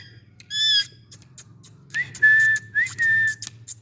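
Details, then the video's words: Baby green Indian ringneck parakeets playing together on a stick with an Alexandrine parakeet. A short ringing whistle is followed by two sustained whistled notes, each rising sharply at the start and then held level, with scattered clicks between. "Natural green parrot Voice | Cute Indian Talking parrots sitting on a stick and making noise"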